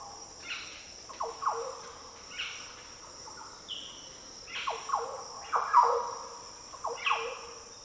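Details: Green orioles in tropical Daintree rainforest, Australia, giving deep, liquid, fluty song phrases, a few spaced bursts of rich slurred notes over a constant high insect chorus.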